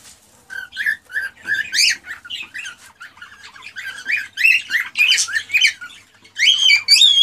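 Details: An excited male cockatiel sings to spur a female into mating and breeding. A run of short whistled notes repeats quickly, rising into louder, richer warbles that end in bright, sliding whistles.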